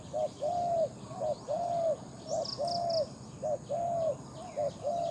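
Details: A big-voiced captive Spotted Dove used as a decoy in Thai dove trapping calls steadily: four quick double-note-plus-long-coo phrases in about five seconds, mellow and even, with a brief burst of high chirps midway.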